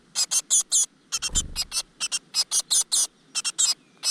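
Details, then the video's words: Great tit nestlings begging in a crevice nest while the mother feeds them: a steady run of loud hissing, scratchy notes, interrupted once by a dull low thud. "A nest of great tit in the crevice, the mother brings food to the little bird石缝里的一窝大山雀，鸟妈妈给小鸟送回虫子"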